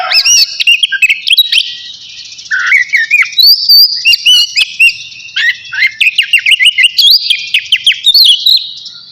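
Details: Navy-type oriental magpie-robin in full song before its bath, pouring out high whistles, rising slurs and rapid repeated chirps in a dense, continuous stream with short pauses.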